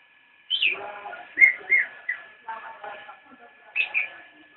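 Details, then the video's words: Straw-headed bulbul (cicak rowo) in nyinden song: a high slurred opening note, then a few clear whistles and softer chatter, ending with a pair of bright downslurred notes. "Cicak rowo nyinden"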